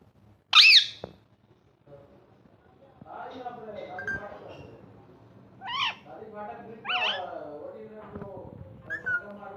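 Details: Pet ringneck parrot talking and playing: one very loud, shrill screech opens, followed by softer chattering, voice-like mutterings and two more squawks.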